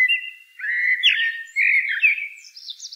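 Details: Common blackbird singing a continuous rich caroling phrase of varied warbled whistles rising and falling, finishing with thin high-pitched twittering notes.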